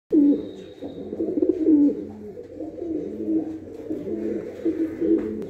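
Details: Red Punjabi Malwai pigeons, described as the original nasal pure breed, give deep, rolling coos that repeat about every one to two seconds, overlapping into a steady low murmur.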